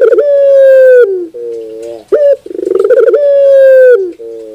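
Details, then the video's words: Puter bird (Barbary dove) giving loud, drawn-out cooing phrases: a steady mid-pitched hum that slides slightly downward, broken by short rolling, stuttered coos, heard twice in a clean recording. "your puter bird will definitely sound"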